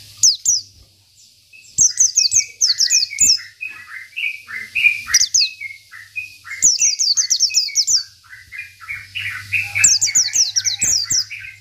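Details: Local Oriental white-eye in energetic song, meant to rile rival birds: runs of quick, high, falling whistled notes repeated in bursts, mixed with lower chattering twitters and a steady low hum behind.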